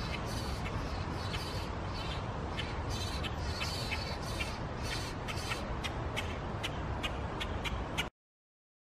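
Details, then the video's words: Common Grackle chicks being fed by a parent in Framingham on 6/9/16 give harsh, raspy begging calls several times a second over a steady low rumble of wind or background noise. "Common Grackle Feeding Chicks"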